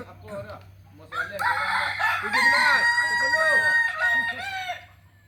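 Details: Solok, West Sumatra Kukuak Balenggek cock breaks into a loud crow after a soft start. The long even tone holds for about three seconds over rapid arched syllables, then tails off quietly.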